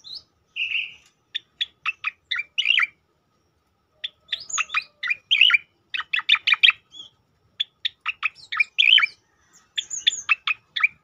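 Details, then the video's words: Tembakan song of the striated grassbird (cicakoreng), used to tutor and provoke other birds: long, energetic sequence of crisp downward-snapping notes in fast clusters, with occasional warbled twists and thin high notes. "khass tembakan cicakoreng untuk masteran dan pancingan bunyi burung lain"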